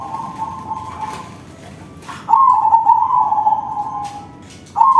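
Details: Zebra dove of crossbred stock in full song with a big voice, used to draw out other doves: a long warbling trilled coo fading out, a short pause, then a sustained rolling phrase and the start of another.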